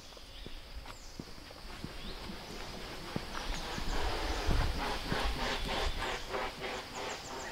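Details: A Great Hornbill flying past in the Western Ghats forest of Nelliyampathy Hills, Kerala, India: heavy steady whooshing wingbeats, about three a second, growing louder as it passes, with faint bird calls and walking footsteps underneath.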